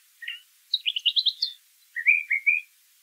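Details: Brown thrasher singing outdoors: a short rough note, then a fast climbing series of chirps, followed by a doubled smooth slurred whistle, with a still background.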